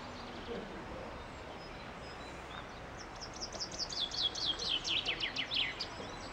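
A chaffinch sings one bright, rattling phrase of about three seconds, with quick notes tumbling down the scale to a final flourish, over a steady outdoor hiss.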